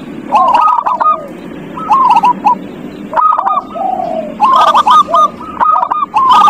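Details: Zebra doves singing, used as a lure to get a quiet dove to sing: several overlapping birds give bursts of rapid staccato notes ending in soft rolling coos, with short pauses between phrases.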